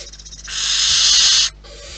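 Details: Barn owl at the nest: one loud, breathy screech-hiss lasting about a second, preceded by soft quick ticking and followed by a quieter rasp.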